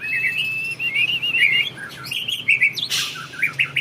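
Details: Captive white-rumped shama from a champion breeding line in Indonesia pouring out a varied warbled phrase of rising and falling whistles, broken by sharp high chips near the end.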